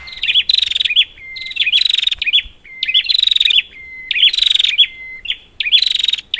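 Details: Prinia calling, used to draw out silent prinias: steady alternation of thin level whistles and harsh buzzy rattles with twangy hooked notes, about one phrase per second.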